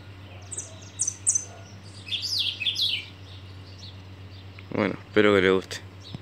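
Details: Hand-raised thrush chick singing on the hand: three high, clear whistled notes, then a run of lower, warbling falling phrases; a man's voice follows near the end.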